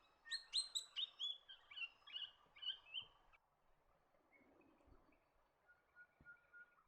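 Swift parrot giving a quick run of about ten sharp, metallic piping notes that step slightly lower, then a few fainter chirps.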